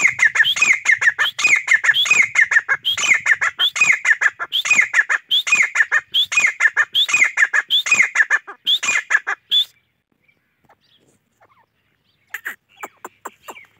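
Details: Grey francolin giving a rhythmic, harsh repeated phrase of rising and falling notes, cycling steadily for about nine seconds. A pause follows, then a brief restart.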